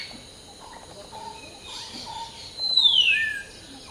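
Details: Preening common hill myna at dawn gives one loud whistle that glides smoothly downward, followed by a brief lower note. Faint repeated chirps from other birds and a constant high insect drone sit underneath.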